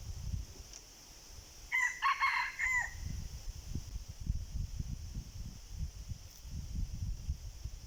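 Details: Wild red junglefowl reacting to a decoy gives a single mid-distance crow of a few harsh, ragged segments, set against low rumbling noise and an insect hum.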